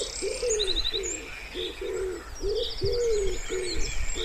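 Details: Low, mellow coos of a wood pigeon at a pond, repeated in an uneven rhythm of roughly three per second, some notes drawn out and wavering, over faint songbird trills.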